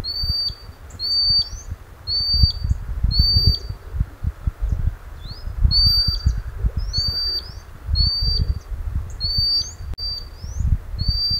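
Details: Common sandpiper wader calling its young close to its breeding place by a Scottish river in the North of Scotland, Sony a6600 recording; a run of about ten sharp, high whistled notes, each with a quick upward flick, repeated roughly every second above low water noise.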